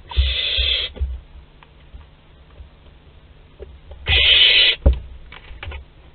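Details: Young barn owl visiting its parents' food store at Théding, France, on 10 July 2021, giving two long harsh hissing screeches about three seconds apart, with bumps and scraping in between.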